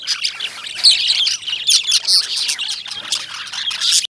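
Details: Lovebirds, identified as Indian lovebirds, produce a loud, crowded chorus of high squeaky chirps and grating squawks, with no gaps throughout.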